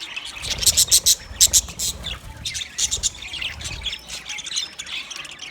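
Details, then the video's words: Green budgies chirp in rapid clusters of bright, piercing notes, followed by a looser, softer chatter. "Green Budgie sound sound of Budgie birds"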